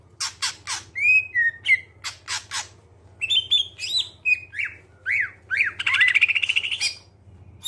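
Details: Song of a greater green leafbird, a lure for getting other birds to sing: sharp harsh chips alternating with slurred whistles, then a series of downward-bending whistled notes about three per second, ending in a rapid buzzy rattle; low hum behind.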